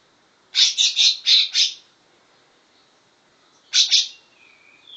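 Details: Trained greater green leafbird copying grey-cheeked bulbul song: a quick cluster of five loud, high chirping notes, a silence of about two seconds, then a short two-note burst followed by a faint thin whistle.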